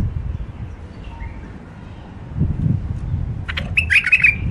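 A hybrid finch breaks into a quick burst of bright, twittering song after low background rumble.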